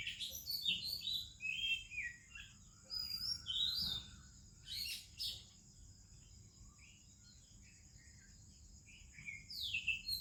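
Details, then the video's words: Morning song of an Oriental magpie-robin in India with other birds around: short sweet whistles and slurred chirps in scattered phrases, separated by brief silences, with a constant thin high drone behind. "30 Minutes a ROBIN Chirping in the Morning"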